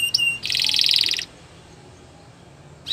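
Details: Short burst of a Belgian canary training song: a brief high note, then a dense buzzy trill of under a second, followed by quiet background hiss and a final rising note.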